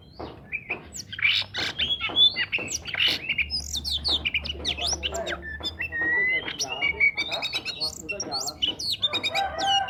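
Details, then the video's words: Oriental magpie-robin singing hard, its natural voice used to lure magpie-robins that seldom sing: a dense, varied stream of whistles, quick upward slurs, chips and scratchy notes lasting almost ten seconds, with a low hum at times. "KACER GACOR SUARA ASLI/PANCINGAN UNTUK KACER JARANG BUNYI"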